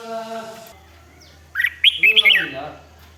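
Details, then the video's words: Red-whiskered bulbul song in the 'rik' style, used to rouse other birds: a low harmonic humming sound first, then a burst of four or five sharp, slurred whistled notes. "เสียงนกกรงหัวจุก ร้อง ริก เปิดให้นกฟัง ยั่วให้นกคึกจัด"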